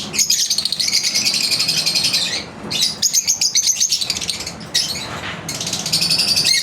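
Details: Pet lovebirds in a daily routine give rapid trills of high, metallic chips, roughly four notes a second, in three long bursts separated by short pauses, with faint fluttering of wings.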